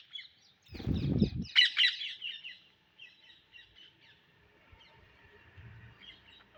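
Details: Indian ringneck parrots looking for seeds give a cluster of harsh chattering squawks after a low thump, then softer scattered calls fading into quiet background.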